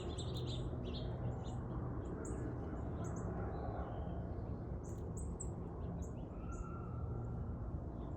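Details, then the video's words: Several birds chirping outdoors, with short high tweets and a few longer whistled notes scattered through the recording over a steady low rumble of background noise. "Birds chirping sound"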